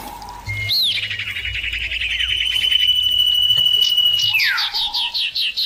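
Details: Common iora calling back and forth, loud and clear: a rising-then-falling opening note, a long flat whistle overlaid with a rapid ticking chatter, then a swooping descent and a run of quick repeated notes to finish.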